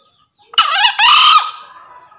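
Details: Lure crow of a male green junglefowl summoning a rival: two raspy syllables, the first short and climbing, the second drawn out and steady before fading into a faint tail, with nothing else audible.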